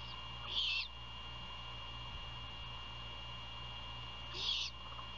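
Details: Great horned owl nest near Savannah, Georgia, 1:38 AM, 27 February 2022, with prey handed over and feeding at night: two longer, harsh, rasping screeches nearly four seconds apart over continuous background hum.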